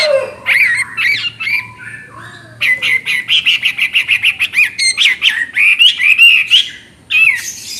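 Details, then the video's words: Chattering song of a Chinese hwamei: varied whistled slurs, then a long, rapid string of bright, evenly spaced notes with mixed sharp upsweeps, broken by short pauses. A faint low hum runs underneath. "Burung Hwamei Wambi NGOCEH Istimewa Gacor Suara Cristal"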